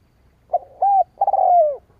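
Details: Spotted dove call for luring rival doves: a short soft note, a rounded coo, then a long drawn coo falling slightly in pitch at its end, mellow and low in a quiet setting.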